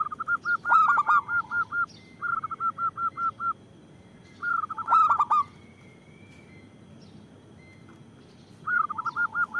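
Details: Loud-voiced local zebra dove, used for luring and prompting doves to sing: runs of short, even, staccato notes repeated quickly, broken by loud clipped triple-note cooing phrases, with steady hiss behind.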